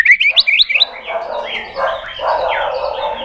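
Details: White-rumped shama, fired up in contest singing: a rapid run of rising whistled notes at the start, followed by blurred, louder overlapping sounds that mask the song.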